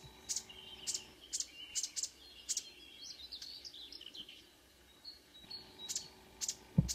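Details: Dawn song of a marsh warbler at Kråkstad, Norway, 5 a.m. in June: regular harsh buzzy notes alternating with quick varied chattering warbles, a pause, then more buzzes and a low thump at the end.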